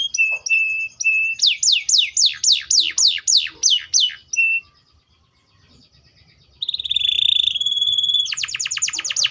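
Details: Canary song opening with short flat whistled notes, then a rhythmic run of falling sweeps, a pause of near silence, a sustained buzzy roll and a closing rapid series of descending notes.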